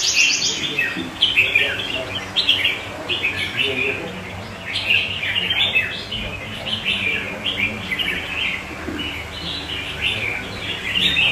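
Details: Singing red-whiskered bulbul holding its own beside other bulbuls nearby: a long, steady string of lively whistled and chirped phrases, note after note, with a soft background murmur.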